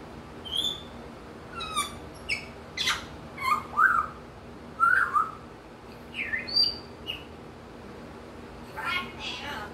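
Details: African grey parrot, a male over a year old, outdoors during his morning routine, happily imitating wild birds: scattered short whistles, chirps and clicks at varied pitches, some rising and falling, spaced irregularly over ten seconds with quiet gaps.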